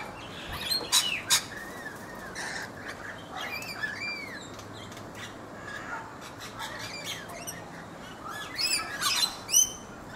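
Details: Rainbow lorikeets feeding in a guava tree in a backyard in Brisbane, Australia: irregular harsh, broadband screeches in scattered bursts, mixed with thin rising and falling whistled notes over a steady background hiss.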